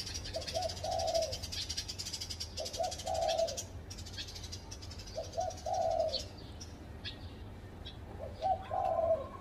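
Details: Spotted dove calling from a tree at a house: four repeated low phrases, two short coos and a longer drawn coo, roughly every two and a half seconds, with shrill insect buzzing behind.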